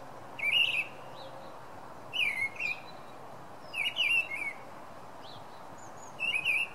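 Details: A Song Thrush singing at night gives four short, clear whistled phrases with sharp, slightly buzzy edges, spaced about one and a half seconds apart over a soft background hiss.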